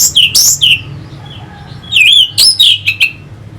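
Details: Orange-headed thrush song from Singaraja in North Bali, played to stir fighting birds: high slurred whistles and harsh notes, a soft pause, then a wavering whistled phrase and rapid chips.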